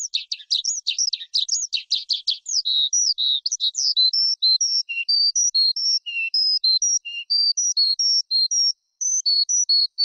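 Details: Forest skylark singing: a fast burst of varied chirping notes, then a steadier string of short clear whistled notes repeated in a lively varied sequence, with no other sounds.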